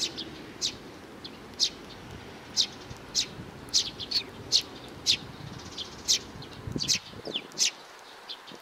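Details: Young sparrow calling, recorded in 2019: short high chirps repeated roughly every half second to one second, some notes closer together, over a soft steady background hiss.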